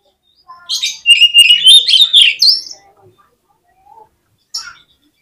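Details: Oriental magpie-robin (kacer) singing 'gacor' as a lure to trigger quick 'konslet' song in contest birds: a loud burst of rich, rapidly varied whistles and buzzy notes for about two seconds, then a few faint chips.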